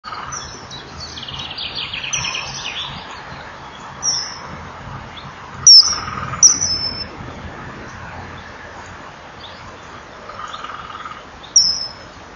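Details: Male common kingfisher in breeding season, calling as it flies past the nest burrow at 18:06 after the female has gone inside, recorded by a nest-wall camera. Brief, very high, piercing whistles sound singly at scattered moments over a steady humming drone, with faint other bird chatter early on.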